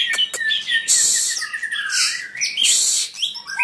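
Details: White-rumped shama singing a dense, rich run of varied whistles mixed with buzzy, rasping high notes and quick sliding phrases, almost continuous across the few seconds with barely a pause.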